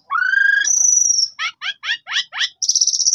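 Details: Black-winged starling song used as a lure recording to provoke a reply from a sulking bird: a sustained whistled note with harmonics, a high steady tone, then a quick series of five rising buzzy notes ending in another high whistle.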